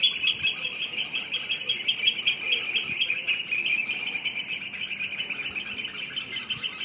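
Eurasian oystercatchers give a steady stream of shrill, piping notes, fast and overlapping like a continuous trill, with a faint higher twittering above.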